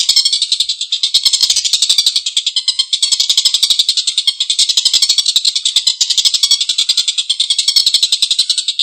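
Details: Collared kingfisher in a long rough laughing call: dense, continuous rasping notes, high and buzzy, repeated rapidly and evenly for nearly nine seconds with no pause.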